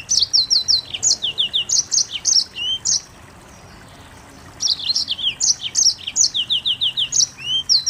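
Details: Rapid song of a Mozambique canary: two bursts of quick high chirped and slurred notes separated by a silent gap of about a second and a half, phrases ending in a falling whistle.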